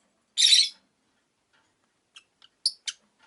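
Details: Caged rosy-faced lovebird, one of five by a window: a single loud, rasping chirp, followed after a silence by a few short, faint ticks and two sharper high chirps.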